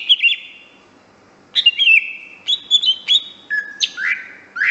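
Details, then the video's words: Greater green leafbird song from a master recording for training: warbled high phrases, then repeated chirps, a steady whistle and rising slurred notes, with a quiet pause early on. "kicau burung cucak hijau master"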